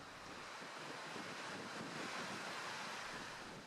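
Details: Steady roar of surf and wind buffeting the microphone, with no animal calls heard.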